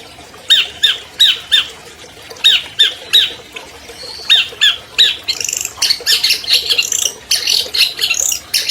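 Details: Singing albino long-tailed shrike, a captive 2020 champion whose song serves as a lure for silent shrikes: evenly spaced squawky paired notes, then a denser, jumbled stretch of harsh chatter.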